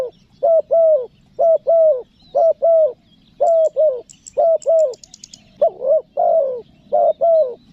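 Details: Spotted dove calling in the 'nekan nguku' style used to lure wild doves: loud, clear paired coos repeated steadily about once a second, mellow and low, with faint high chirps from other birds in the background.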